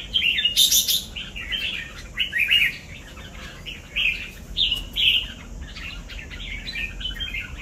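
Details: Red-whiskered bulbul, 'cọp' type, delivering a string of short, lively whistled phrases, each a quick up-and-down warble, repeated about every second with brief breaks.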